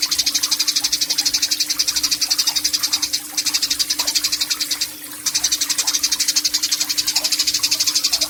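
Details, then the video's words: Eurasian tree sparrow giving the long 'nyecret panjang' chatter in a song-training recording from Yogyakarta, Indonesia, 29 October 2022; a rapid, harsh, pulsed rattle continues throughout with two softer dips, over a steady low hum. "BURUNG GEREJA GACOR , NYECRET PANJANG"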